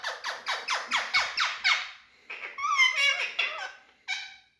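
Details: Big male Indian ringneck parakeets kept as talking parrots: seven rhythmic raspy chirps in steady succession, then a gap and a twisting, warbled string of chatter ending in one short squawk.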